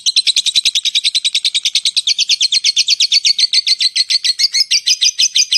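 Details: Lovebird in ngetik style: a fast, loud train of sharp, clicking chirps, about three or four a second, run together without a break like rapid typing.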